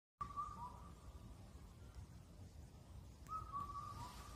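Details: Indian cuckoo, Cuculus micropterus, calling in Korea (Cheonmasan, Incheon), a bird said to call all night near the end of spring: two clear whistled four-note phrases near one pitch, the last note dropping, about three seconds apart, over low rumbling background.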